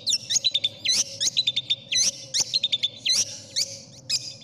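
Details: Long-tailed shrike masteran song favoured by contest judges, full of fill-in phrases: clipped upslurred and downslurred whistles and sharp chips in separated bursts, some notes swooping, over a faint constant hum.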